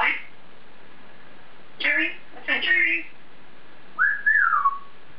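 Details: African grey parrot in its cage talking to itself: two harsh speech-like syllable bursts followed by a clear swooping whistle that rises and falls; quiet indoor room.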